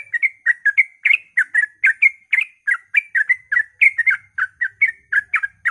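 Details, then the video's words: Yellow-vented bulbul's rapid early-morning 'ropel' song, played to coax other bulbuls to sing: a dense string of bright, bubbly whistled notes at an even fast pace, with a faint low hum underneath. "suara trucukan ropel pagi subuh AMPUH memancing trucuk agar ikut gacor"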